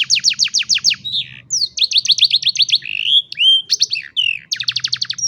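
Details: Young-canary training song from a canary, phone-recorded: quick series of sharp repeated notes about six per second, then slurred whistles and rising sweeps, switching to another rapid trill at the end; steady low hum behind.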